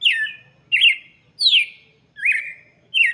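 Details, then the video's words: Whistled song of a red-cowled cardinal for chicks, five bright descending phrases repeated at a steady pace of roughly one every 0.7 seconds. "cantoria de galo de campina para Filhotes - canto do galo de campina"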